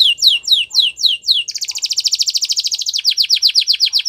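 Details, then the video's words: Gloster canary song used for training: several sweeping downslurred notes, then a rapid buzzy trill lasting about a second and a half, then a quick series of high falling chirps; no other sounds. "Gloster Canary Training | Canary Bird Sounds"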